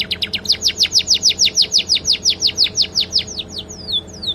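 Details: Canary song filled with flycatcher-like notes, a master recording for training birds: steady fast downslurred whistles, about four per second, slowing into two long descending whistles.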